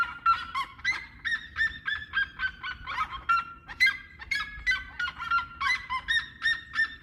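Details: Red-legged seriema song: a loud, continuous series of harsh, honking yelps, about two per second, with overlapping yelps that rise and fall slightly in pitch, over quiet low background noise.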